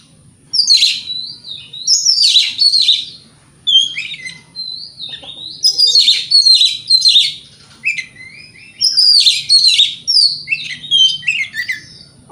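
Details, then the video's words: Morning lure song of an Oriental magpie-robin in full voice, used to make rival birds reply; bursts of rich, buzzy, fast-warbled phrases alternating with clear slurred whistles, about five phrase groups in twelve seconds, steady faint hum beneath. "Pancingan Kacer Gacor Pagi Hari Bikin Lawan AUTO NYAUT!!! Ikut Emosi"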